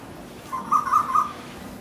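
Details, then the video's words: Asian koel visiting a garden, calling while fighting as a form of communication: three short, clear whistled notes around one pitch in quick succession, fairly loud over a low background hum. "Sound of Cuckoo bird fighting"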